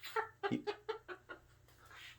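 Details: Pet cockatoo imitating laughter when its owner asks it to laugh: a run of about six short, hoarse, evenly spaced 'ha' syllables, fading at the end, followed by soft breathy noise.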